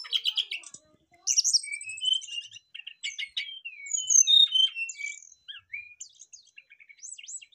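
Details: Brown-chested jungle flycatchers singing back and forth, showing their filler phrases; a long varied stream of sweet whistles, downslurs and quick chirps with little pause.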